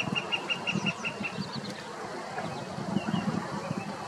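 A Northern flicker gives a quick run of about eight even, mid-pitched notes, roughly six per second, over a steady low rumble of traffic.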